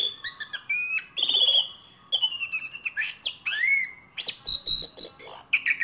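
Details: Asian pied starling (Gracupica contra), practice calls: young bird learning to vocalise.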